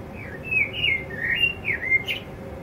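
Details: A male blackbird sings softly to himself, an unbroken, rambling warble of twisting fluty notes and brief scratchy flourishes, all at a quiet, steady pace indoors.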